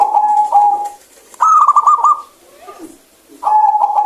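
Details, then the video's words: Clear-voiced local zebra dove singing: a steady purring coo, a quick rippling string of coos, a soft low murmur, then the level cooing phrase again. "PERKUTUT LOKAL GACOR SUARA BENING"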